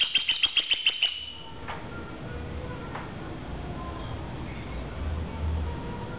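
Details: Lovebird chirping contest: a fast run of about seven high, bright chirps packed into the first second, then near quiet with low background hum.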